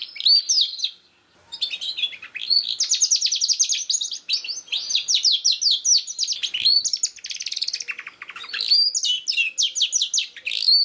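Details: Canary song played as a lure for young canaries that are not yet singing. A short pause is followed by a long sustained run of rapid high trills. Swooping whistles and chattering bursts are mixed in.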